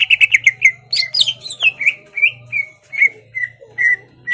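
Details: Caged greater green leafbird singing to stir a rival to fight: a quick run of clipped whistles, a tumbling slurred phrase, then a slow series of short level whistles spaced about half a second apart.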